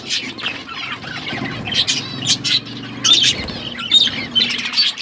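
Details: Several pet budgerigars chirping while eating food, a busy flock chatter of buzzy warbles and short squawks with bursts of rustling or flapping wings throughout.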